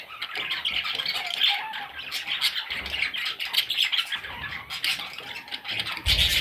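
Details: Parrot chicks calling together in a continuous, dense chatter of raspy, squeaky chirps, overlapping without pause, with a louder burst of squawks at the very end.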